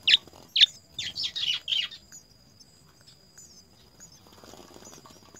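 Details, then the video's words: House sparrows, mother and father feeding three young at the nest: about six loud, harsh chirps in quick succession over two seconds, then quiet with faint thin high notes and a steady high background tone. "House - Sparrow Birds - Mother and father feed, the three young at the nest"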